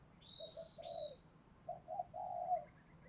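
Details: Spotted dove, Thổ Pha đồng voice style, played to lure wild doves in: soft, hollow coo notes in two short groups, a thin high whistle overhead at the start, steady low hum underneath.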